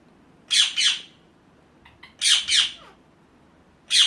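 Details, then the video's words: Ringneck parakeet giving paired harsh screeches, repeated after pauses of over a second, with a few faint soft notes in between. "ringneck 🦜 natural sound"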